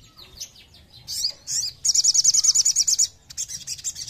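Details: Sogon (Crested Jay) lure song to provoke other birds: a few scattered high notes, then a fast, even rattle of about fifteen shrill chirps, followed by further rapid chatter.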